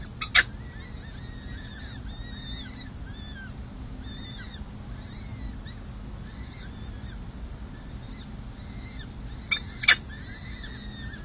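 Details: Four peregrine falcon chicks, 6 and 7 days old, at the San Jose City Hall nest on 7 May 2024 during feeding give a steady stream of thin, wavering, high-pitched chirps over a low urban hum and two sharp knocks.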